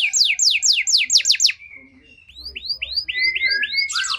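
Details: Canary pancingan song for triggering canaries out of condition: a loud fast trill of sharp slurred notes, a brief low steady tone, then slower rising swept whistles building back into a rapid trill.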